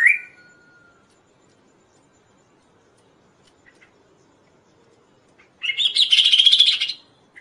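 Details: Kaso-kaso bird heard in a recording for training songbirds and luring others: one sharp note at the start, a long quiet gap, then a harsh, rapid buzzy chatter lasting about a second and a half.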